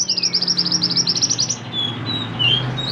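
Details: Lively mantenan, or pied bushchat, song used as a tutor for cage songbirds: opens with a rapid run of sharp high chirps, about ten per second, then thin whistled notes and a slurred phrase, with a low background hum.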